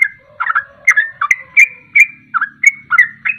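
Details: Sooty-headed bulbul singing ropelan, a rapid song meant to draw other birds into singing. Clear, liquid whistles, some rising and some falling, repeat in a lively, slightly uneven rhythm.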